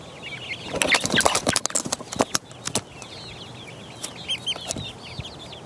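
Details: Four-week-old chicks pecking around: loud sharp pecking taps and clicks dominate early, followed by scattered short high downward peeps, some in quick bursts.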